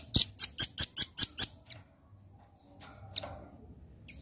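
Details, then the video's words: Red-billed nuthatch singing a fast series of seven loud, sharp, high piercing notes evenly spaced about four per second, then a pause with a few faint chips. "Suara Rambatan Paruh Merah Gacor"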